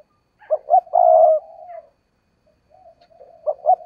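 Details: Decoy spotted dove cooing: two quick short notes run into a long, steady coo, followed by quieter trailing coos and the start of another phrase at the end.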